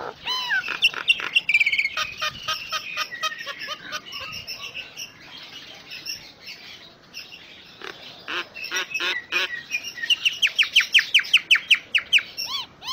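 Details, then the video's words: Common myna (jalak nias) in a long full 'isian' song for tutoring: harsh squawks and chatter, whistled slides, clicking passages, then a fast run of repeated arched notes building toward the end. "Suara Kicaun Burung Jalak Nias Full Isian"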